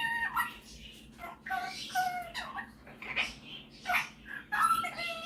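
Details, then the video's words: Pet male superb parrot mimicking indoors: softer scattered harmonic calls and short whistles, some falling in pitch, mixed with a person's quiet voice. "Superb Parrot Malibu showing off his singing and mimicking skills"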